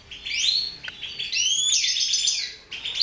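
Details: Mutation goldfinch song with rising slurred whistles that run into a sustained, fast liquid twitter, broken by brief pauses.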